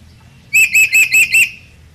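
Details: A red lory learning to be vocal gives five harsh, shrill notes in quick succession, about five a second, with no other sounds.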